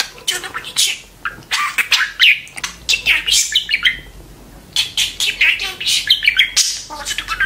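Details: Talking pet budgerigar chattering in uneven bursts of squeaky, buzzy warbles and short chirps with brief pauses between runs, plus a faint low hum underneath.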